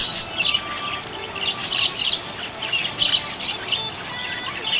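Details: Happy budgerigars in full chatter: bright, repeated high chirps and warbles bunched in lively bursts about every half second.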